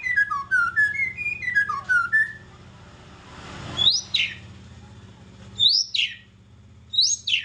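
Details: White-rumped shama singing a quick series of short whistles that step downward. After a pause, loud, sharp, upslurred whistled notes come in pairs, separated by gaps of a second or more, over a steady low background hum.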